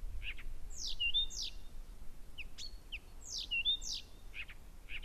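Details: At Gerå Engvej, 1 a.m., 15 June 2014, a Blyth's reed warbler sings constantly and loudly at night: paired downslurred high notes with a thin whistle, repeated after about two seconds, separated by brief chattering notes.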